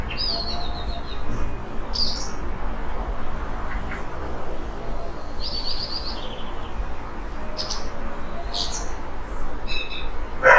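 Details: Eurasian blackbird in Portugal, about 5 meters away in a yard at the end of the day, giving a rare quiet song with imitations: short high buzzy trills and squeaky notes in scattered bursts, over a continuous low rumble.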